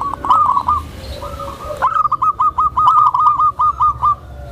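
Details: Tame zebra dove calling, used to lure other zebra doves and to train newly kept birds: soft, clear cooing notes repeated in a rapid, even series of short hooked phrases, with faint background hum.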